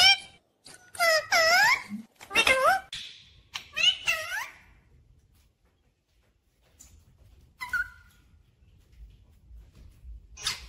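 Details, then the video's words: Parrot kept as a pet, talking 'mummy papa' in a clear voice: several loud, wavering, voice-like syllables in the first five seconds, then quieter scattered notes and a faint low rumble. "mummy Papa Bolne Wala Tota Mithu 😘😍🥰❤️ clear voice talking parrot"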